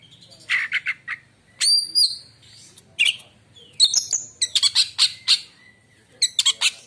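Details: White-rumped shama song claimed to silence other shamas: clusters of sharp, clicking chatter notes mixed with clear high whistles, in bursts with short pauses.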